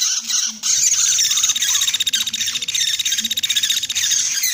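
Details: Lure sound for catching common flamebacks: after a short lower start, a piercing high rattle runs on densely with rapid flickering pulses.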